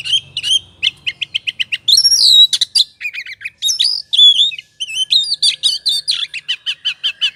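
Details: Oriental magpie-robin singing in ngobra style, used as a lure to stir another bird into song: quick chipping notes, then a loud burst of rich, varied whistles and harsh buzzes, ending in dense rapid chatter.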